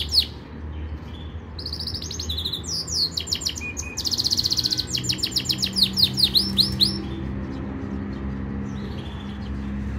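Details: Yorkshire canary training song: brief notes, then from two seconds a run of rolling trills, a bright pulsed tour and many fast V-shaped sweeps until about seven seconds, followed by quiet background hum.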